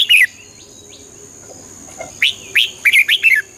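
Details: Red-whiskered bulbul song meant to stir up birds: a brief warbled note group at the start, two faint upslurred whistles, then a lively run of five or six liquid whistled notes near the end.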